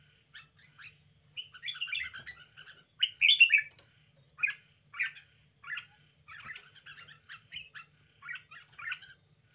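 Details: Lively caged red-whiskered bulbul delivering a string of quick, chirpy warbled phrases, each a brief cluster of notes, with a louder outburst early on and a faint hum underneath.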